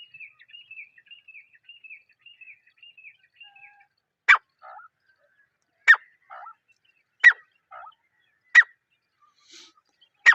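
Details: Partridge (teetar) calling in the wild, recorded in natural jungle surroundings: loud, harsh, broadband calls repeated roughly every one and a half seconds, each followed by a softer short note, after faint high twittering at the start.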